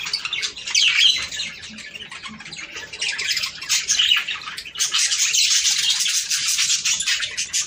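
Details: Budgerigar breeding-stimulation song, a rolling mass of squeaky warbles and squawks, quieter early on, then swelling into a continuous loud chatter.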